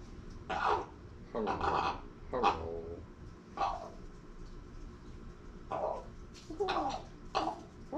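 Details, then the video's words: Female pet common raven making odd noises at her keeper, possibly attempting to talk: rough croaking squawks in clustered bursts with a few quiet gaps, some with throaty rising tails, heard indoors. "Raven Becky trying to talk or just squawking in my face?"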